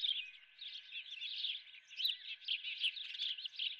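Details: Osprey with a live golden fish for breakfast at the Dunrovin nest; a short burst of rapid, high, wavering chirps rising and falling in loudness.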